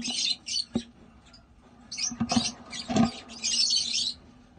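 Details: African lovebirds (Agapornis) kept by breeders give harsh, buzzy high chirps in short bursts, with clattering knocks and a low steady hum beneath.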